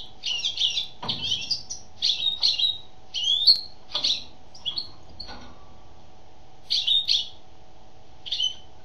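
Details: Female European goldfinch in song: quick liquid twitters and tinkling chirps grouped in rapid clusters, fairly continuous for several seconds before a pause and a few final notes, over a faint steady hum and a couple of knocks.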